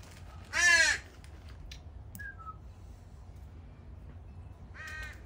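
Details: Begging from a juvenile crow left with others at a morning feeding spot: one strong, hoarse, downward-bending caw, then quiet, a brief thin note, and a fainter second caw near the end.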